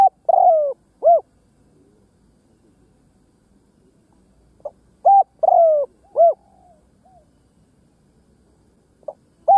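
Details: Spotted dove kept as a ground decoy, cooing to lure wild doves: two phrases of three hollow coos, each opening with a longer falling note followed by shorter ones, separated by about four seconds of quiet.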